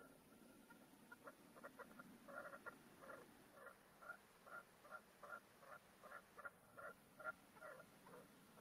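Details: Caged male red-legged partridge used as a hunting decoy, calling out over the field in its 'canto de mayor' with 4–5 beats per call. A steady run of short harsh clucking bursts, about two and a half per second, over a faint background hiss.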